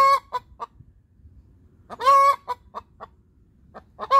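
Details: A hen sings after laying: quick short clucks building into one long harsh squawk, then more spaced clucks and a final loud squawk starting at the end.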